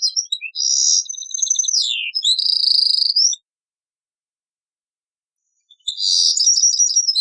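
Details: European goldfinch giving Taqsrayn song, copied from an old cassette: varied twittering and a falling slur, then a steady high rattling trill, a long pause, and a fresh burst of jangling, liquid twitters.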